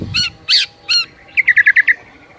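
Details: White-rumped shama (murai) in morning master-song recording: three harsh broadband chak notes, then a quick run of six clear repeated whistled notes.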